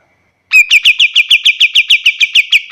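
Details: A kapas tembak, recorded as a tutor for other cage birds, bursts into a steady rattle of clear whistled notes, roughly five per second, each slightly downslurred, lasting over two seconds in clean silence.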